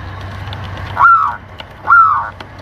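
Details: Local zebra dove from Lampung calling for a lure recording that also tutors doves and stimulates breeding: two drawn-out downslurred coos almost a second apart, following a noisy low rumble.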